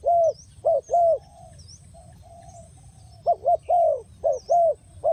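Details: Spotted dove calling as a trapping lure: bursts of soft hollow coos in short groups, a pause with quieter drawn-out notes, then another quick run, with faint high chirps from other birds.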